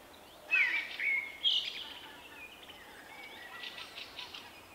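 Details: Male common blackbird, a shy individual with a distinctive 'vuippi vuippi vuuu' song, recorded March 2024: loud clear whistled phrases in the first two seconds, then faint high twitters over a steady background hiss.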